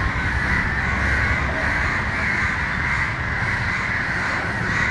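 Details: Several crows in Matara, Sri Lanka, shouting at a dog that approaches a fallen, struggling crow, one bird repeatedly swooping at the dog; harsh, dense overlapping caws run continuously, with a steady low rumble of background noise.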